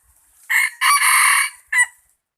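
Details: Rooster crowing loudly and well: a clear, harsh cock-a-doodle-doo with a short opening note, a long drawn-out middle syllable and a brief closing note, close and dominant against a quiet background.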